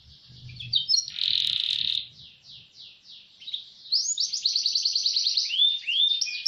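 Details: Canary delivering a 'roll speed' training song: a buzzy steady roll and a string of short slurred notes, a quieter gap, then a bright fast trill and rising sweeps, with faint low thumps at the start.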